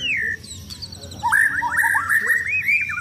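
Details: Caged white-rumped shama, contest-ready, singing while set out for sunbathing: a loud descending whistle, a pause, then a run of rich, rapidly varied whistled phrases with sweeping slurs, some fainter high notes above.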